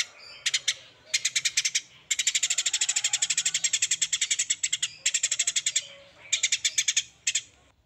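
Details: Songbird in a masteran training recording for songbirds, full tembakan style: harsh, buzzy chattering notes fired in rapid bursts, with one long unbroken run in the middle and short pauses between bursts.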